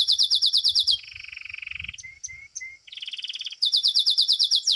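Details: Domestic Belgian canary performing at a singing competition, seventh edition: fast high pulsed trill, then a lower buzzy rolling trill, a few short sliding whistles, and a return to the rapid high pulsed trill.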